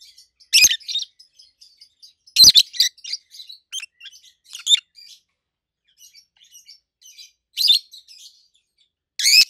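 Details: Two adult peach-faced lovebirds kept as pets calling loudly: piercing shrieks every couple of seconds mixed with quick high chattering notes, treble yet solid in tone.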